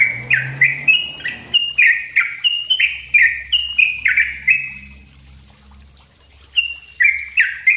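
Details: Yellow-vented bulbul pouring out a dense 'ropel' song for training other birds: quick bubbly slurred notes repeated about three per second, a brief pause, then more phrases; faint low hum underneath.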